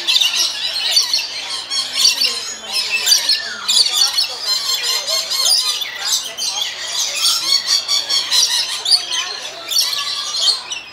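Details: Lorikeets at San Diego Zoo Safari Park chatter in a dense flock, harsh high screeches and squawks overlapping almost continuously; faint human voices underneath.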